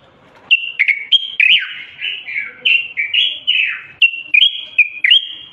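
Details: Common bulbul, Moroccan bird, singing continuously to stimulate males to sing and prepare females for mating; rich, fluty whistled phrases sliding up and down, short warbled notes run together with brief gaps, clear and loud over a quiet background.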